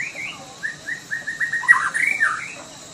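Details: Sumatran white-rumped shama in lively song: a run of short, clear whistled notes repeated evenly, building into a louder, rapid tumbling flourish before trailing off.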